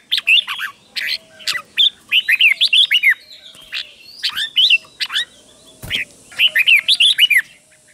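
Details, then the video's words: Song of a red-whiskered bulbul kept as a double-singing cage bird, played for chicks to learn from; bursts of quick, bright whistled phrases with swooping notes, separated by short gaps, one low thump midway. "นกกรงหัวจุกเบิ้ล 1000000% สอนลูกนก ก็อปติดง่าย"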